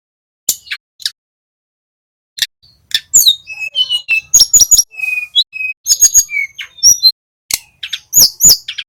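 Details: Young male little pied flycatcher learning to trill, played as a lure for other songbirds: scattered sharp clicks giving way to a busy run of thin high whistles, short buzzy notes and ticks.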